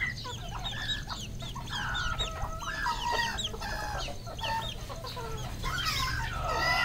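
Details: On a farm in Cambodia, red junglefowl give harmonic, nasal clucks and drawn-out calls among many overlapping high chirps, growing louder near the end, with low droning background.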